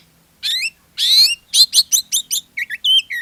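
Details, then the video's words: Short burst of Oriental magpie-robin song, a lure to get other magpie-robins singing: a harsh buzzy note, then a rapid series of about ten ringing chirps, ending in lower whistled slurs. "SUARA PANCINGAN KACER GACOR, BIKIN KACER YANG LAIN IKUT GACOR"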